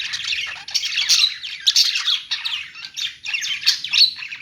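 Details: Several budgies chattering in a pet store, with rapid warbled phrases, high squeaks and short squawks in overlapping waves of a second or so.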